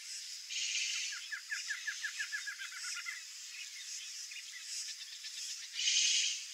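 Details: Young rufescent tiger-herons in the nest give a rapid run of short, high chirping begging calls, about a dozen in two seconds, over a steady hiss of insects.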